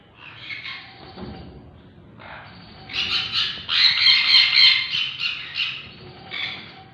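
A sun conure gives harsh, raspy squawks and chattering bursts, loudest in a rapid run midway.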